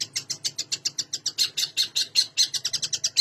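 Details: Long-tailed shrike in vigorous, fully varied song used as a lure to get silent or lazy shrikes singing: a fast run of harsh, high chattering notes, about six per second, fairly even in loudness, with a faint low hum beneath.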